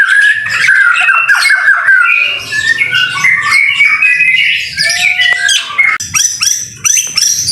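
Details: White-rumped shama in full song during rain, used as a training tutor: a fast, varied stream of whistles, chirps and warbled phrases, then higher sustained whistles in the final seconds.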